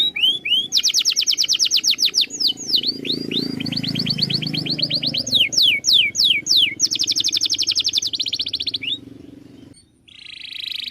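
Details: Canary singing a master song for training birds: rapid high rolled trills alternating with quick descending whistled notes, then a sustained buzzy tone at the end, over a steady low background hum.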